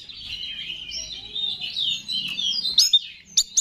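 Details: Oriental magpie-robin (kacer) in persistent 'gacor' song used as a lure to stir up other kacer: a continuous high warbling run of gliding whistles, ending in a few sharp, loud notes.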